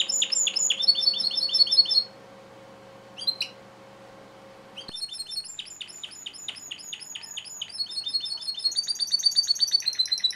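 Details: Captive-bred male Timbrado canary sings bursts of fast repeated trilled notes, broken by a near-silent pause with one brief note, then resuming with rapid rolling tours; a faint steady hum underlies the first part.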